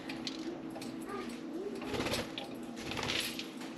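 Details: Four pet budgerigars playing and talking inside and on top of their cage; quick bright chirps and scratchy warbled chatter come in bursts over a steady low indoor hum.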